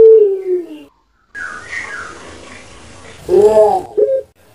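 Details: Indoor recording of a pet puter pelung dove from Java, Indonesia: a short falling coo, a pause with faint background noise, then a loud gurgling rolled phrase and a clipped closing note.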